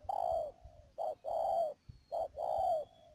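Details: Spotted dove kept as a trapping decoy at Mương Điều, Cà Mau, 12 March 2019, cooing closely: a short note followed by a long, slightly wavering falling coo, twice, over a faint steady high tone.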